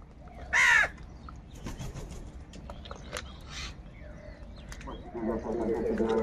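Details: Crows squabbling over food: one loud, hoarse caw bursts out early, followed by quieter scattered clicks and a low rustling, flapping noise building toward the end.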